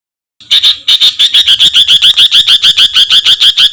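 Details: Rough 'tembakan kasar' shots from a songbird used as a master for competition birds: after brief silence, fast evenly repeated rasping high notes run without pause for over three seconds.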